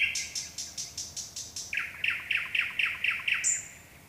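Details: Nightingale singing at night: a rapid run of about eight high, sharp repeated notes shifts into a slightly lower run of harsher throaty notes, closing with a thin high whistle.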